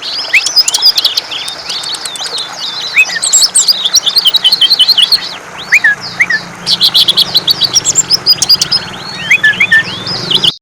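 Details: Sustained song from a greater green leafbird (cucak ijo), mixing looping whistles, harsh chirps and fast repeated high notes in long bursts, with a faint low hum underneath.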